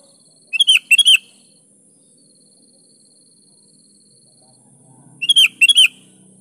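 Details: Sooty-headed bulbul, known as kutilang, singing to prompt other kutilang to join in: a quick stuttering bubbly phrase, a gap of about four seconds with a faint steady hiss, then the phrase repeated.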